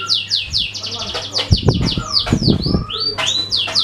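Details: Canary song meant to set other birds singing: rapid sweeping notes repeated in quick bursts, then long whistled slurs, mixed with low thumps around the middle and a steady background hum.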